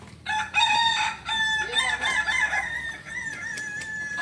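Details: Kukuak balenggek rooster at a crowing contest in Panyakalan, Solok: a long, stepped, multi-part crow, held tones shifting pitch level by level, with other birds and ambient noise behind.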